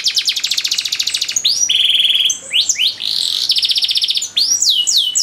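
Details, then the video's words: Canary in long-duration training song with luxurious cengkok: a fast pulsed trill, then swooping whistled slurs and buzzy rolls, returning to rapid downward-sweeping notes near the end. "DURASI PANJANG BANGET LAGU DAN CENGKOK MEWAH, MASTERAN TOP UNTUK KENARI"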